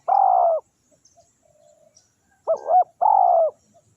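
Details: Spotted dove (tekukur) used as a decoy to lure wild doves: a long, steady, mid-pitched coo, then a short two-part dipping coo and another long coo, in a quiet setting.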